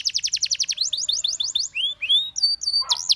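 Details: Canary in song, beginning with quick downward-swept notes repeated several times per second, then slower rising whistled slurs and thin high-pitched tones. No background noise.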